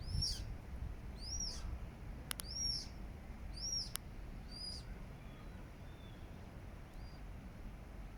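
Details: Eurasian coot family and chicks, Regent's Park, London, July 2024; loud high arched peeps about once a second, fading to fainter thinner notes toward the end, with clicks and low background rumble.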